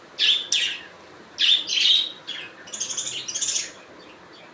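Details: Budgerigars calling: a run of loud, harsh chirps and squeaky warbling notes in quick irregular bursts, followed by a rattling chatter, with quiet pauses between.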